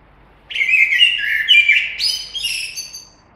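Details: Common blackbird delivering one continuous phrase of rich, low fluting whistles that rises at the end into thin, scratchy high notes.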